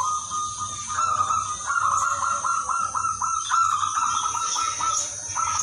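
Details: Zebra dove of the Udanmas Silver variety, singing steadily with a melodious rhythm to lure other zebra doves: a long run of short, clipped, mid-pitched cooing notes in quick succession over a constant high background hiss.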